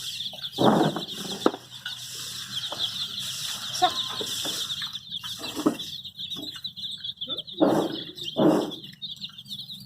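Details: A group of dyed, colourful baby chicks gives a dense, steady chorus of high, shrill peeps throughout. It is broken by a few louder broadband bursts like flapping or scuffling.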